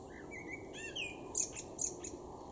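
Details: A male blackbird in a garden in Weener, East Frisia, northwest Germany, in May 2023, sings a short phrase: mellow, warbled notes in the middle range, then a burst of thin, squeaky high twitters to finish.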